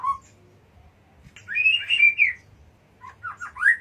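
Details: A single low whistle, a pause, then a bright warbled phrase and a few rising slurred notes from a white-rumped shama (murai batu) recorded in Jatiuwung.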